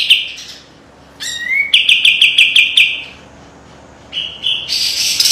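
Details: Kapas tembak white-eye singing a sharp master song with dense besetan trills: a rising whistled slur opens a rapid run of repeated clipped notes, followed by a quiet gap and a further burst of high chatter.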